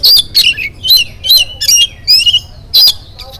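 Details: Morning song of an oriental magpie-robin, used to prompt other birds to sing: loud, rapid phrases of sharp whistles mixed with harsh buzzy notes, about eight bursts in quick rhythm.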